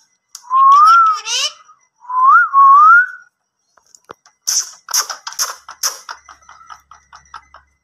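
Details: Talkative Indian ringneck parrot producing two long wavering whistles with rising and falling pitch, followed by a rapid series of harsh, clipped speech-like syllables and clicks.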